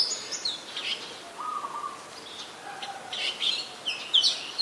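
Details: Adult Red-whiskered Bulbul in Ubon Ratchathani, Thailand, recorded 3 January 2021: bright high chirps and short slurred notes in scattered bursts, with one lower steady whistled note midway and soft background hiss.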